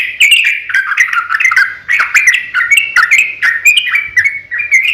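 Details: Yellow-vented bulbul in an emotional fighting song, a lure for other bulbuls; rich, slurred, warbling notes in quick phrases, some ending in sharp rising chirps.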